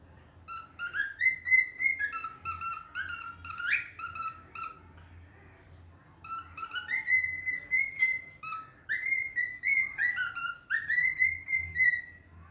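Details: A pet cockatiel kept with budgies sings happily, a clear whistled tune of rising and falling phrases with sharp chirps mixed in.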